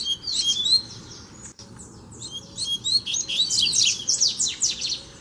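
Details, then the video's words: Double-collared seedeater, a free bird challenging a caged one in a training session, Brazil: dense high whistled song with rapid downslurred notes and trills, phrases bunched in a fast run after an opening burst. "BADERNA O COLEIRO VEM NA MÃO PRA PEGAR O DA GAIOLA!!! TREINO DE FIBRA NO COLEIRO SOLTO!!!"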